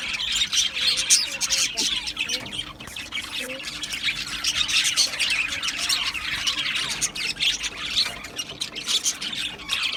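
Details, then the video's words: Australian budgies chirping in a dense, unbroken stream of high, scratchy chirps and squawky warbles from several birds at once, with a faint steady hum underneath. "Australian Budgies Sounds | Beautiful Budgies chirping Sounds"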